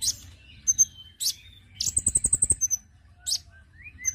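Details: Konin calls used to attract birds: high chips and a thin sliding whistle, then a fast series of about ten piercing high notes, ending with short rising whistles.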